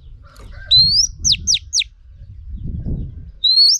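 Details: Female Oriental magpie-robin, used in training to stimulate males. A rising whistle, three descending sweeps, then another rising whistle. A low rumbling background runs throughout.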